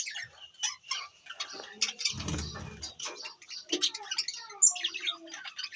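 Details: Budgies of assorted new colours in a cage playground setup in Larkana, Sindh, on 17 April 2024. Rapid high chirps, squeaks and clicks tumble over one another, with a brief low rustling thump near the middle.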